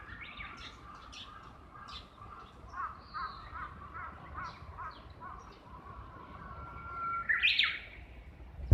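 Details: Heard from a second-floor window, a Japanese bush warbler exchanging calls with a companion or mate nearby gives one long, level whistled note that breaks into a loud, quick rising flourish. Earlier, another bird repeats short chirps in an even series.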